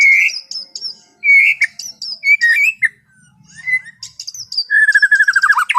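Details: White-rumped shama singing calmly in the afternoon, played to relax an overexcited bird: short whistled phrases with high chips repeated every second or so, ending in a quick descending trill.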